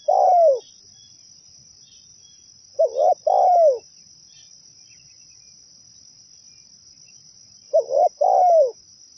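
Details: Zebra dove lure song for attracting other zebra doves. The end of one coo is followed by two complete phrases, about five seconds apart. Each is a jittery run of short notes, then a smooth coo that falls away. Only a low hiss lies behind.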